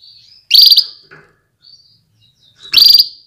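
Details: Female canary call meant to rouse males into readiness and strong singing: two loud, sharp, bright chirps about two seconds apart, separated by faint thin whistled notes.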